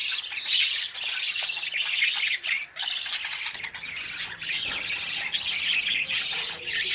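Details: Fledgling-age budgerigars chasing parents for feeding; nearly unbroken, raspy, buzzy squawking from several birds, with short dips in loudness every second or so.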